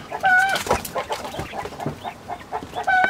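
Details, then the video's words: Chicken (hen) calling in the background near caged laying quail in midwinter, after a spell of warmer weather; the quail fell silent: a drawn-out, level, nasal note at the start and end, with softer broken clucks and rustling between. "Tavuk oradan araya girdiği için arka plandan tavuğumuz başladığı için bıldırcınlar susmayı tercih etti."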